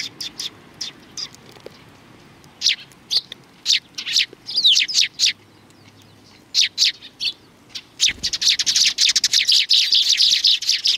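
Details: Several sparrows come out to greet visitors at a Tenmangu shrine on 3 July 2020, giving scattered high chirps that build into a dense, overlapping chatter of rapid tweets in the final seconds.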